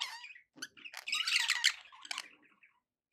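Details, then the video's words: Happy pet budgerigars chattering indoors: a dense, scratchy warble of rapid high notes mixed with clicks and squeaks, swelling mid-clip, then fading into softer broken twitters. "happy budgie sounds"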